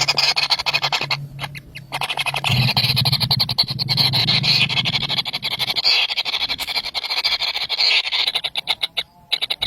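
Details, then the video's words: Three very hungry baby birds give a sustained high, thin squealing chorus with scratchy ticking, over a low droning hum during the first half. "Three baby Bird is very hungry"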